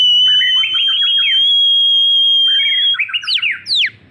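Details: F3 white-rumped shama singing actively, Lampung, Indonesia: two fast runs of warbled whistled notes under a constant loud pure tone, ending with sharp steep downslurred whistles.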